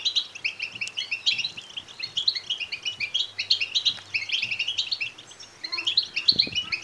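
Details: Begging European goldfinch chicks, calls intended to excite males to sing and mate: dense, continuous high twittering chirps with a brief quieter lull near the end.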